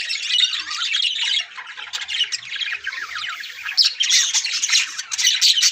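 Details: Yellow budgerigars in a breeding colony give a continuous chorus of warbling chatter and harsh squawks. The sound dips briefly midway, then swells louder again.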